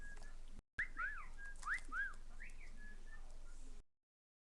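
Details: Pet cockatiel on a computer desk giving a run of short whistled notes, some rising and some arched, over a steady low hum and background hiss.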